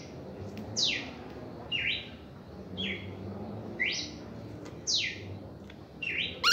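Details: Red-crested cardinal performing its first reaction song, ringing whistled notes sliding down or up in quick strokes, evenly spaced about a second apart, with light background hum.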